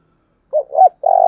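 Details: Caged decoy spotted dove giving the urgent 'thúc' call used to provoke wild doves: two short mellow coos followed by a longer, steady low coo that cuts off abruptly, with no other sounds.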